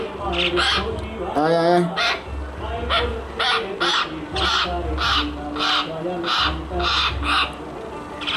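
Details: Myna giving a run of short, harsh, scratchy squawks about every half second, with one longer, rising squawk rich in overtones near the start; a steady low hum underlies the whole recording.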